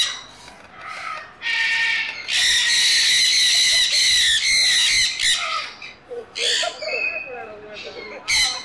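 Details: Sun conures calling: a few scattered shrill squawks at first, then a sustained run of loud rasping screeches, followed by shorter broken calls with softer chatter beneath.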